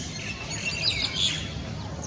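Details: Two common mynas calling for the same mate, each annoyed by the other's presence: a jumble of high chirps, whistles and chattering notes over a steady low background rumble.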